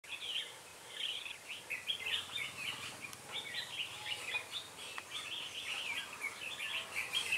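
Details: Red-whiskered bulbul, a dark-bibbed bird at a trap with a decoy, gives fighting song: bright, warbled phrases repeated in quick bursts throughout, over steady low background hum.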